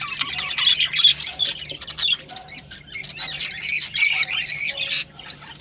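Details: Rosellas calling to prompt breeding: harsh rasping squawks and chatter, rising to loud repeated screechy bursts in the final seconds.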